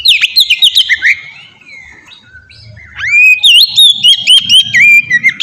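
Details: White-rumped shama song meant as a lure to set other shamas singing: loud, rich whistled phrases that rise and fall, a quieter pause, then a sweeping upward whistle into a rapid sequence of fluty, looping notes.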